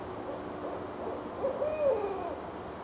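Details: Owls trading calls high in trees at Richmond, Virginia, January 8, 2012; soft introductory hoots lead into a louder, drawn-out wavering hoot that rises then falls away, with faint distant rumble behind.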